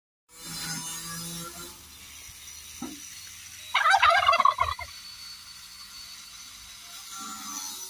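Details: Free-range pastured homestead turkeys, broad breasted white, foraging outdoors; one rapid, rattling gobble bursts out for about a second mid-clip, loud and pulsed, over quiet outdoor background with faint low rumbling.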